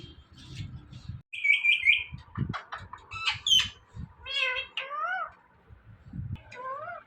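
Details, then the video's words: One of two talking Indian ringneck parrots mixes buzzy high notes, clipped speech-like syllables, and two downward-curving meow-like mimicked calls, with soft low household rumble throughout. "Compilation Of Two Best Talking Parrots"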